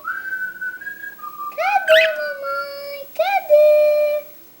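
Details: A pet cockatiel said to talk a great deal: clear whistled tones held steady, then bright rising harmonic sweeps repeated twice, each ending in a long level whistled note.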